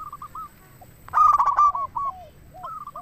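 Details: Local zebra dove singing, recorded for luring wild doves and stirring other doves to answer; short staccato cooing notes repeated in quick series, then a louder, harsher burst of rapid notes before the soft series resumes.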